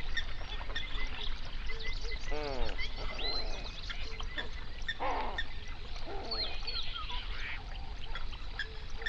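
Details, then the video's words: A flamingo flock on a South African lake in an Overberg national park, heard through a binaural recording. Several harsh, nasal honks with downward slides come one after another over a dense murmur of calling birds and a low rumble. "Flamingo sounds"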